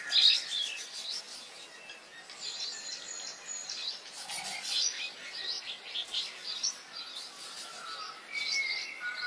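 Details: Wild birds singing in nature: scattered faint high chirps and short whistled notes from several birds, with thin buzzy phrases between them and a steady hiss of open-air background.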